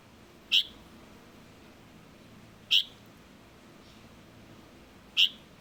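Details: Juvenile Light-vented bulbul uttering three sharp, high, clipped notes at intervals of about two and a half seconds, over a soft constant background hiss.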